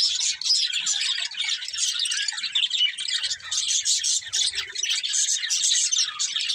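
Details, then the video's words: Several parakeets singing while playing, producing a steady, busy chorus of high chirps, chattery warbles and occasional sharper squawky notes, all overlapping without pause. "Budgies Chirping Sounds | Happy Parakeets Sing and Playing"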